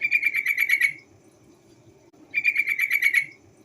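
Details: Lure call of a female yellow-vented bulbul, meant to make other birds sing. Two evenly paced rattling chatters of about eight notes each, with a soft low background hum.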